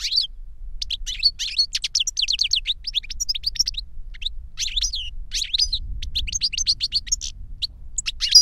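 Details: Two captive European goldfinches, a master and the young novice it trained through a CD of its song, singing 'reclamo'; long, steady stream of high twittering chirps and trills with brief pauses, over faint low rumble.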